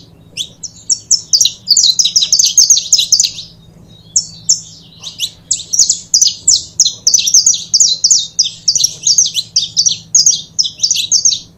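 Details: A pair of saffron finches (canário-da-terra), kept for 'foguear' training, pour out dense runs of sharp, high chirps in two long bursts split by a brief pause near four seconds, over a faint low hum.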